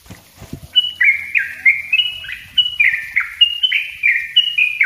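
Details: Yellow-vented bulbul, locally trucuk, singing 'ropel rapat' for use as a lure and training master: a few soft low thumps, then a continuous stream of bright, falling, bubbly whistles.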